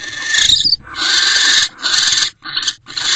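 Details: Barn owl at a nest box at 9:11 pm, 18 December 2023, during mating; loud, high, harsh screeching bursts, one long drawn-out screech then shorter ones.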